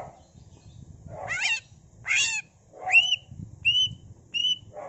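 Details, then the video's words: Greater green leafbird (cucak ijo) delivering mimicked phrases: sweeping slurred whistles rising in pitch, then short clear upward-flicking whistled notes repeated about once a second, over low background murmur. "CUCAK IJO GACOR BONGKAR ISIAN NGENTROK PANCINGAN CUCAK IJO GACOR FULL ISIAN"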